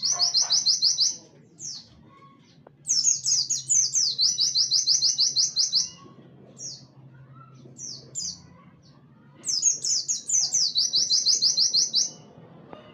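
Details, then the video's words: Warbling white-eye delivering 'tembakan wit wit kenari' song as a training recording for songbirds: high, rapid chip series in bursts, broken by scattered single downslurred notes and pauses of a second or two. "pleci tembakan wit wit kenari cocok buat masteran"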